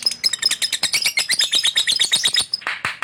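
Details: Male lovebird in fighter style, kept for song, pouring out a long fast chattering trill of harsh, scratchy high notes, about three per second, ending in a rougher burst.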